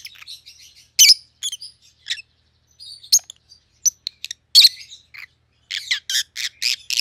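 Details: Rosy-faced lovebirds, a white-headed pallid opaline and a white-headed green opaline, give scattered shrill chirps and soft chatter, ending in a rapid run of five loud harsh chirps.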